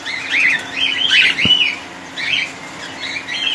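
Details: Cockatiels kept in a colony, warbling and chirping in short, wavering phrases that rise and fall, with a sharp click partway through.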